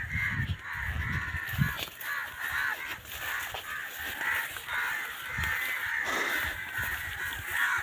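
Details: Crows in a large group calling together over a field at dusk, part of a half-hour racket; loud, raspy caws overlap in a steady chorus, with low rumbling bursts from wind or camera handling.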